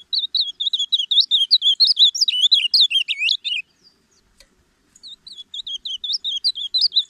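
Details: Captive-bred reina mora (ultramarine grosbeak) in full song: about three and a half seconds of fast warbling high whistled notes, a short silence, then the phrase starting again more softly and building.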